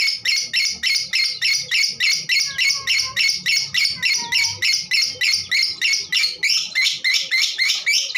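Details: Raspy, rhythmic chatter from a female lovebird, used to get other birds singing; evenly spaced harsh notes about three to four per second, with a faint lower whistle partway through.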